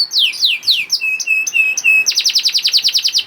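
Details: Canary, a young bird, sings to encourage silent canaries: a few long falling swoops, then low flat whistles in series, then a rapid run of short sharp descending notes.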